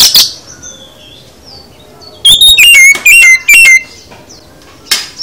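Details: Oriental magpie-robin, full song: after faint thin notes, a tight series of four falling whistled phrases repeated about every third of a second, then quiet and one last burst.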